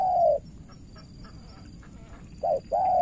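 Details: Spotted dove from Cà Mau, Vietnam, used as a decoy: one drawn-out soft coo, a pause, then a short note and another long coo, with a faint high steady tone behind.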